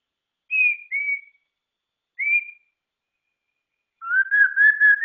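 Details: Murai ceram, the white-rumped shama, giving three clear, slightly falling whistles spaced apart. After a silence comes a buzzy, wavering, warbled phrase. No other sounds.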